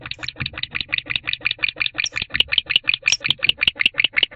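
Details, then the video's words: Barn owl in a nest box at night, 4:14 am on 16 December 2023, calling to its absent mate: rapid, harsh pulsed notes repeated about two to three times a second, steady and insistent, indoors box acoustics. "BeauTheBarnOwl Calling to Ava Who Still Hasn't Returned"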